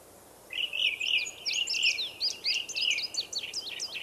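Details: Forest Indigo bunting with a steady stream of bright, high slurred notes, some rising and some falling, running for several seconds over a faint hiss.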